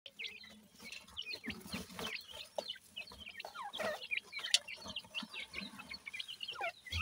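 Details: Grey francolin (teetar) chicks being cared for and fed: a busy chorus of short, high, thin peeps and chirps from several chicks, overlapping quickly, with a few soft lower clucks underneath.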